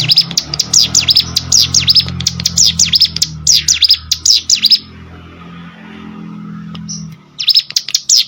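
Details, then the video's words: Hill Prinia song used as training audio for competition birds: rapid series of high, sharp V-shaped chirps in a fast chattering run, a pause of about two seconds, then the chirping series resumes; faint low hum underneath. "CIGUN ATAU PRENJAK GUNUNG!!! MASTERAN UNTUK BURUNG LOMBA"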